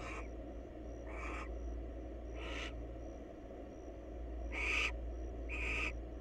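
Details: Wild barn owls at a nest box in Israel give harsh, hissing screeches in short bursts about once a second during courtship.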